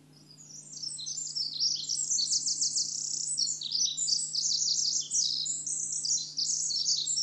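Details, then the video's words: Pacific wren, once known as winter wren, sings a fast, high, tinkling cascade of trills and buzzes that swells in from quiet and runs on continuously with rapid rhythmic stutters; soft low hum underneath. "Pacific Wren sings"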